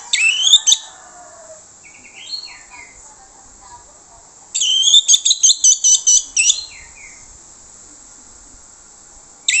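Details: Lure song of an Orange-headed thrush meant to make other birds answer. A loud high phrase opens, then soft descending whistles, then a rapid run of about eight bright, repeated piercing notes, and a final loud burst.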